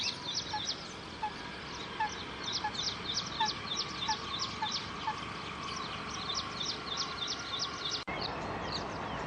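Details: Pied bush chat, male and female: a busy series of short, high chirps repeated several times a second, with a few softer lower notes underneath and steady outdoor background noise throughout.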